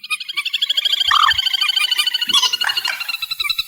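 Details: Amplified reed warbler producing a fast, steady rattling trill of scratchy pulses, about two and a half per second in groups, with one short whistled upslur midway.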